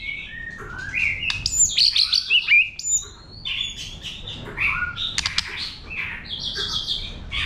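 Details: White-rumped shama in wild-type song meant to stimulate birds, delivering dense fast phrases of bright whistles, trills and slurred notes with occasional sharp clicks.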